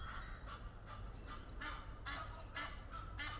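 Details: A courting Egyptian goose pair perched in a tree near Henley upon Thames. Soft, distant-sounding honks repeat every half second or so, and a twittering small bird chirps brightly above them early on.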